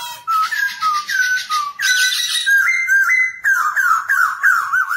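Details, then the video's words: Caged black-throated laughingthrush singing while dancing, song used to train young birds to sing: clear whistled phrases near mid pitch, short slurred notes stepping upward, then rapid repeated wavering whistles with harsh overtones, loud and continuous. "KHƯỚU BẠC MÁ VỪA HÓT VỪA MÚA 30 PHÚT LIÊN TỤC CỰC CHẤT, CỰC PHÊ, LUYỆN CHO KHƯỚU BỔI MAU HÓT."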